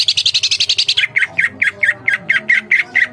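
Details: Greater green leafbird singing energetically, with no pauses: a quick rattle of about a dozen high, buzzy notes slides straight into a steady series of lower, rounded chirps, about three per second.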